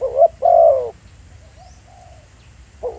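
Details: Spotted dove decoy recorded on site in a Thai field: a short coo followed by a longer wavering rolling coo, then a pause with faint soft notes and the start of another coo at the end.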